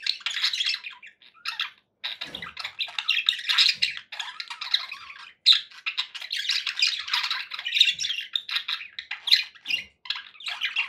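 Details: Happy pet budgerigars chattering nonstop: a dense, buzzy warble of squawks and chirps with sharper whistled accents and only short gaps.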